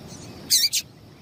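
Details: A quick double chirp, high and sharp, from a female double-collared seedeater, the call used to excite males, over faint low background noise.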